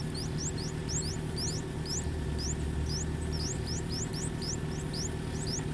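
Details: Begging from three-day-old streak-eared bulbul chicks being fed in their nest in a water jasmine tree near a house: dense, overlapping high upslurred peeps, several per second, from more than one chick, over low humming noise.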